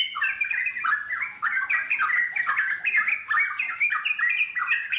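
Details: Brisk ngeropel chatter from wild yellow-vented bulbuls, recorded for playback to bring wild birds answering: tightly packed, squeaky warbled phrases running continuously, several overlapping, with one slight lull mid-way.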